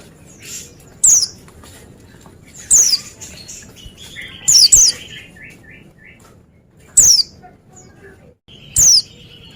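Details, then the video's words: Oriental white-eye singing: single piercing, high notes that drop quickly, given about every two seconds, with a softer buzzy, stuttering trill between them and quiet background hiss. "Jamin Pleci Lain Nyaut Gacor Dengar Suara Burung Pleci Ini"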